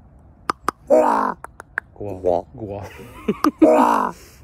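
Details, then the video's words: Common raven full of gwahs on a frosty Monday morning, giving knocking clicks, harsh drawn-out gwahs and shorter lower croaking notes, with a murmured human voice nearby. "Frosty Monday morning gwahs"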